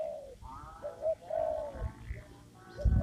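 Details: Spotted dove cooing in a papaya garden, recorded while trapping with a lure; a few low, slightly rising-and-falling coos with a faint higher tone and low rustling thumps at the close.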